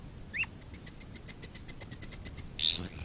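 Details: Canary song played as a lesson for training canaries: a crisp high note repeated about seven times per second, a brief lower slurred note before it, then a loud buzzy rising sweep.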